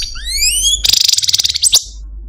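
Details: Captive Algerian Parva goldfinch, a male kept as a pet, singing in a cage: clean rising whistled slurs, then a fast buzzy trilled rattle of repeated notes high in pitch.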